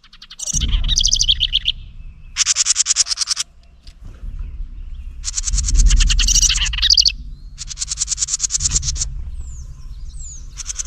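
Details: House wren, angry at a GoPro Hero 9 placed near its nest, scolds at close range: harsh, buzzy rattling chatters in bursts of about a second, separated by short pauses, over a low rumble of wind or handling.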